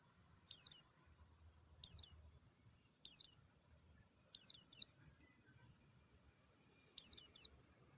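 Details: Oriental white-eye, Dakun type, singing in the wild amid natural surroundings, repeating short clusters of two or three piercing, high downslurred chirps roughly every one to two seconds, clean and clear with silent gaps.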